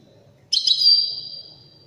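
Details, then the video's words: European goldfinch of the Widani type singing one brief high twittering burst with a long, ringing, fading tone after it, over a faint low hum. "تغريد رائع أناقة في الأداء طائر الحسون الويداني"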